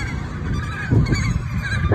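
Emperor geese give a few hoarse, nasal honks, with the loudest burst near the middle, over a steady low rumble.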